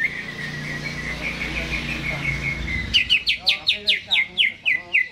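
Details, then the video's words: Greater green leafbird kept in a cage, singing hard before being hung up: a thin sustained trilling strand, then about ten loud, evenly spaced, downslurred chirps repeated roughly every fifth of a second. "CUCAK HIJAU GACOR...Sebelum di gantang"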